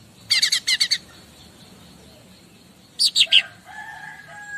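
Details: Bar-winged prinia heard as a master song for other birds: two quick clusters of high, rattling repeated notes, then a short descending burst followed by low, steady whistled tones.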